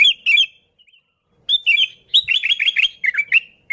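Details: Lively Sooty-headed bulbul song, recorded unaltered as a lure for wild bulbuls: short chirpy phrases at first, then a longer run of quick, bouncing, slurred notes that descend slightly toward the end.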